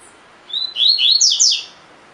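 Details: A collared seedeater with the 'tui tui' song type gives one quick, high phrase of bright, slurred whistles, each note sweeping up and down, lasting about a second against a quiet background.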